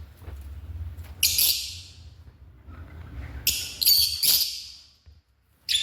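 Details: African lovebird making harsh buzzy squawks in separated bursts, with quiet stretches and a low background hum between calls.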